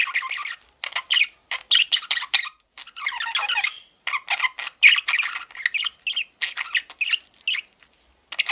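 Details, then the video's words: Pet male budgerigar giving rapid, scratchy chatter mixed with sharp chirps and short squawks in a steady run of brief bursts, one longer rough warble in the middle, otherwise quiet background. "MALE PARAKEET SOUNDS"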